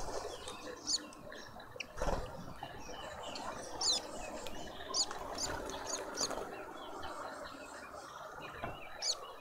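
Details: Red-billed queleas at a feeder in a suburban garden in Pretoria, South Africa, give scattered short, high chirps over a busy chattering background, with a few soft knocks and thumps.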